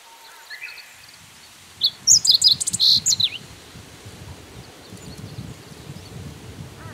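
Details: Meadow bunting in song, filmed singing in a strikingly upright posture: one brisk phrase of high, varied chirps and short twittering notes lasting about one and a half seconds, over faint low rumbling background noise.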